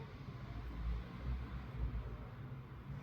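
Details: Only a low, steady engine-like rumble is heard, with no animal voice. The droning hum stays deep throughout, like a passing vehicle or motor.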